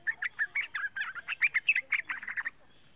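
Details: Young yellow-vented bulbul calling, a sound used to lure other bulbuls into song: a fast run of short, bright chattering notes, about seven per second, stopping abruptly after two and a half seconds.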